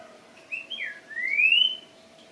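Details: Singing greyish saltator gives two brief whistled notes, a falling-then-rising slur, and a long, pure whistle climbing steadily upward before stopping; quiet background with a faint steady hum.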